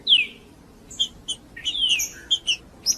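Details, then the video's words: Male green-winged saltator singing to challenge a rival male: a bright downward-slurred whistle, then scattered sharp high chips and a long descending whistled note, over faint background hum. "Trinca-ferro Macheando com Trinca ferro cantando Para Esquentar Trinca ferro Macheando"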